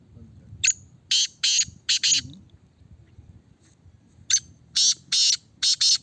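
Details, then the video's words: Black francolin in a cage, tested for its call: two phrases of rasping, grating notes in quick irregular groups separated by a pause of about two seconds. "Kala Teetar ki Test کالا تیتر کی ٹیسٹ"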